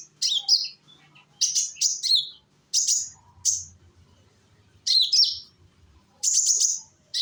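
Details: Konin, a young sunbird of Indonesia, singing to draw other konin into song; short clusters of high, squeaky twittering notes about every second, with quiet pauses between.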